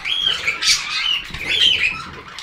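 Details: Budgerigar chatter, a continuous run of warbling, buzzy chirps and rapid twitters, loud and close.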